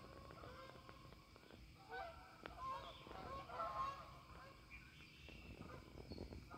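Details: Canada geese in a flock lifting off from a pond at evening; scattered honks build in the middle seconds, several birds calling at once, with low-frequency rumble and soft thumps beneath.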